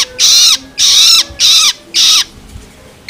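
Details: Four harsh, rasping begging screeches from a juvenile long-tailed shrike, the loloan call used to stimulate adult birds, each about half a second long with a falling tone and a short quiet gap between.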